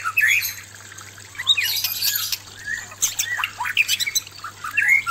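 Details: White-rumped shama male facing an aggressive female: scattered slurred whistles and scratchy buzzy notes, uneven phrasing with quieter gaps, low steady hum behind.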